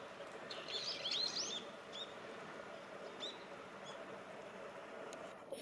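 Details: Brown-eared bulbuls in a wild flock on snowy, leafless shrubs by a frigid river in midwinter, between bouts of bathing. A quick burst of squeaky, twisting chirps is followed by a few faint high notes over constant river noise.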